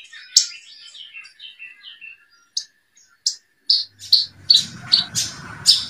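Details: Javan bushlark song from a 2022 compilation of tutor recordings: a run of soft descending whistled notes, then sharp, high chips that grow louder and closer together toward the end. Faint low noise enters in the final seconds.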